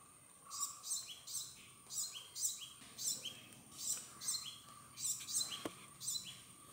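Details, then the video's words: Male purple sunbird feeding on nectar, courtship song: a rapid run of very high, thin, sharp notes repeated about every half second, each paired with a short lower down-slurred tone, steady and insistent throughout. "PURPLE SUNBIRD VOICE, SONG,CALL| COURTSHIP SONG"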